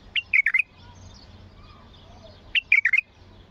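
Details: Bulbul with a powerful song used to prompt other bulbuls to sing. Two brisk phrases of four or five liquid whistled notes, about two seconds apart.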